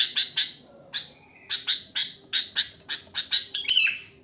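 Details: Natural song of a sooty-headed bulbul with no added mimicry, used to provoke other bulbuls: harsh, buzzy chirps pulsing about three times a second, ending in a brief thin rising note, with a low steady background rumble.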